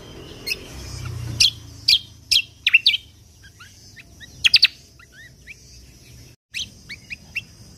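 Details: Lesser green leafbird 'tembakan kunti' song for tutoring contest songbirds: strong, sharp whistled shots in the first half, then softer, quick upslurred twitters and a few final loud chirps over faint low hum.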